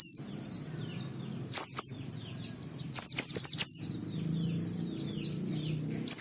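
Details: High, rapid white-eye twittering in the ngalas style, intended to prompt other white-eyes to sing, broken by two louder runs of piercing falling notes.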